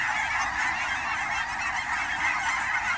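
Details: Canada geese gathered during autumn migration at Fern Hill Wildlife Area outside Portland, Oregon, give a ceaseless chorus of honking, countless overlapping calls merging into one steady roar.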